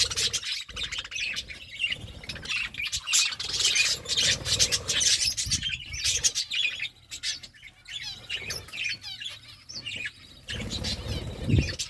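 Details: Parakeets chirp and squawk while eating fruit, in quick, irregular bursts of high, scratchy notes, several birds overlapping, with soft rustling and low thumps underneath.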